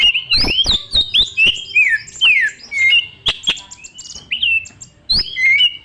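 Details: Young wild-caught white-rumped shama in full song, used as a lure to stimulate other birds: loud, varied whistled phrases sliding up and down, broken by sharp clicks and short chattering notes, with brief pauses between bursts.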